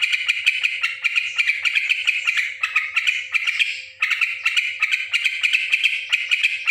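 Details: Loud, rough chatter from a noisy yellow-vented bulbul: rapid scratchy pulses in long runs broken by brief pauses near the third and fourth seconds, with a steady faint hum beneath.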